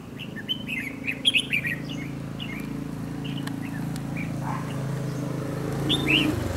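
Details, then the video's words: Red-whiskered bulbul with a dark bib, kept as a decoy for trap fighting; short chirped notes, some rising or hooked, come in scattered bursts, over a steady low hum and background murmur. "Bẫy đấu chào mào Yếm ĐẬM GẤU CHÓ"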